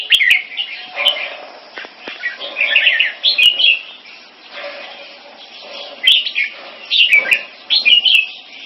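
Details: Two caged red-whiskered bulbuls, Singapore-kept mutant crossbreeds, face off in a competing display. Bursts of lively warbled song come every second or so with quieter stretches between, accompanied by scattered sharp clicks from the cages.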